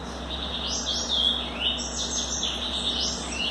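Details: Young captive-bred blue-black grassquit, 60 days old, from Bangu, Rio de Janeiro, singing its refrain song: a run of thin, high sweeping notes, some rising and some falling, packed closely together over a steady low electrical hum.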